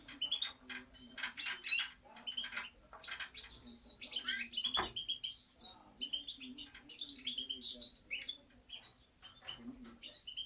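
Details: European goldfinch pouring out a long twittering song, quick liquid chirps, scratchy buzzes and sweeping whistles run together almost without pause, with a quiet low hum in the background.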